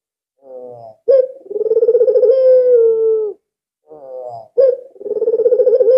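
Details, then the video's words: Very vocal albino Barbary dove kept as a calling lure. A soft lead-in and a sharp note open a fluttering trill that smooths into a long held coo. The same sequence begins again shortly after. "BURUNG PUTER ALBINO SANGAT GACOR"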